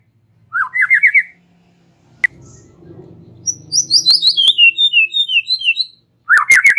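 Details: Relaxed white-rumped shama chatter to draw out song from young birds: short rising rattles, a single click, then a cascade of high descending whistled notes before another rattle returns.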